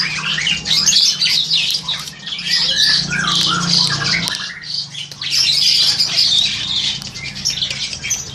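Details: Captive Crested Myna about seven to eight months old, captured with an old Samsung Grand2 phone; bursts of harsh squawking chatter, a quieter gap in the middle, then the noisy chattering resumes.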